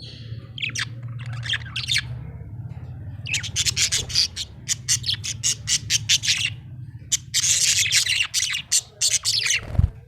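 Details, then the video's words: Happy budgerigar chirping steadily: short bright chirps and longer scratchy warbling bursts, repeated over ten seconds against a constant low electrical hum. "Happy budgie chirping sound"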